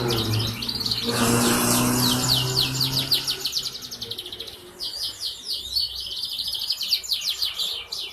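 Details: Four-month-old canary singing as a lure to make other canaries sing diligently, recorded 11 August 2021: fast, repeated high trill phrases that roll on steadily, with a faint low hum behind.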